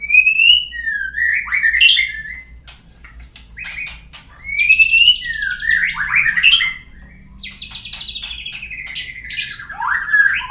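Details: Shama lure song meant to get birds singing: bright rising whistles followed by harsh buzzy rattles, repeated in long phrases roughly every four seconds.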